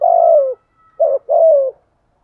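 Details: Decoy spotted dove cooing in the Dong Son voice style to lure other doves: a long low coo that slides downward, a brief pause, a short clipped note, then a second drawn-out falling coo. No other sounds are heard.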